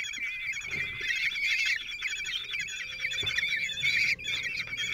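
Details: Four 16-day-old common kestrel chicks are fed by their lone father at a nest in Théding, France, 26 June 2023. A steady stream of thin, high, wavering squeals holds throughout, with a faint low hum.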